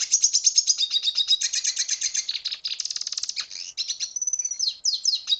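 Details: Red siskin from Venezuela singing a long, fast, twittering warble of high buzzy notes and trills, about a hundred and a half repeats a minute, ending in brief pauses and sharp chips; no other sounds.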